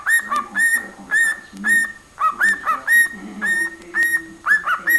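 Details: Cockatiel singing: a repeated two-part whistled phrase, a lower note sliding into a steady higher whistle, about two phrases per second, with faint chatter underneath.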